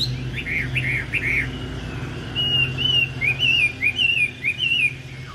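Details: Caged Chinese hwamei that placed in the top 10 at a Thanh Trì contest in 2019, singing loud, clear whistled phrases: quick rising-falling slurs, then a run of wavy looping notes, over a low steady hum.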